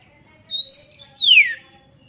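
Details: Female Oriental magpie-robin luring males to fight and spread their tails: two pure whistles, the first level and rising slightly, the second slurring sharply downward.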